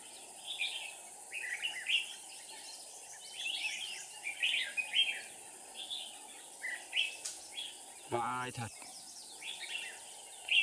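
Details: Red-whiskered bulbul decoy singing at a trapping site in Dong Nai, Vietnam, 7 April 2019. Scattered short warbling whistled phrases come against a high hiss, with a brief burst of human voice and a clatter after eight seconds.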